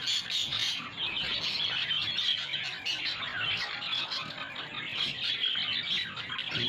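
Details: Budgerigars kept as a pair that will not mate: dense, high-pitched chattering warble with rapid squeaks and clicks running without pause, over a quiet low hum.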